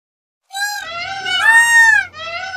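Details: A peacock lets out a loud, harsh, wailing scream, a nasal, rising and falling cry held for over a second, followed by a shorter wail.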